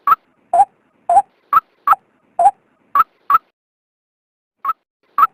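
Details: Luring call of a female white-breasted waterhen: a burst of short harsh notes alternating between two pitches, then a gap and two further high notes, with nothing else audible.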